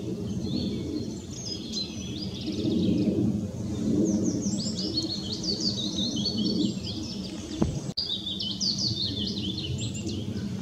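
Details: Willow warbler singing at Hindekamp on 4 May 2017. Thin, high, sweet phrases slide downward in soft cascades, repeated over a steady low rumbling background with a brief knock near the end.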